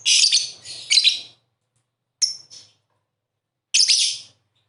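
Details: Lovebird song intended to lure lazy lovebirds into singing: a long scratchy chattering phrase, a brief thin whistled note, then another harsh buzzy burst.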